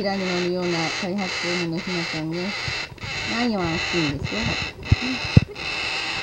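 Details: Young umbrella cockatoo calling in a string of short, reedy, wavering notes, about two per second, some rising then dipping, with a couple of sharp clicks near the end and constant background hiss.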